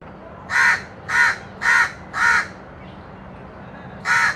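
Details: Crow calling while eating baigun chop (fried eggplant fritter): five harsh, hoarse caws, four in quick succession about half a second apart, then a pause and one more, over a low background hum.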